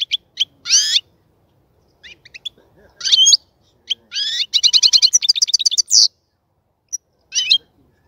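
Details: European goldfinch in a cage set up for mating, singing scattered twittery chirps that build into a fast, rattling series of tinkling notes before ending with a few isolated high calls.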